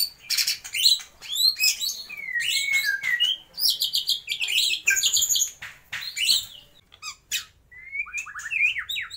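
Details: Lively white-rumped shama song packed with imitations of lovebird, kapas tembak and pijantung gunung: varied sharp chips, harsh buzzy bursts, whistled slurs and quick rising notes in an irregular, loud sequence.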